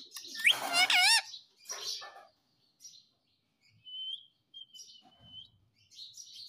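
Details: Pet Indian ringneck parakeet indoors giving a loud, wavering, harmonic call that rises and falls in pitch for about a second, followed by softer scratchy notes and a thin whistled tone near the end.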